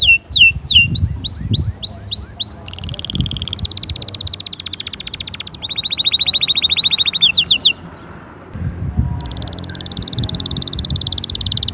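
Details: Canary song to encourage young birds to sing and prepare females: curved whistles, long buzzy rolling trills at steady pitch, a pause, then a high fine trill, with low background rumbles.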